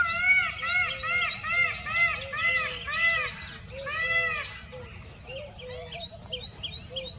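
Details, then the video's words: Indian peacock calling in a rapid series of loud, arched, nasal notes, about two per second, with harmonics stacked above; faint small-bird chatter continues behind. "Indian peacock Single Voice"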